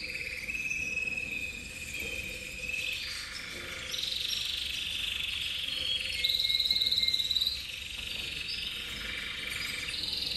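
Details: Intense cobalt copper canary in song: fast buzzy rolls shifting between a lower and a higher pitch, each held for a second or more, then a bright clear stretch near the end, over steady low hum.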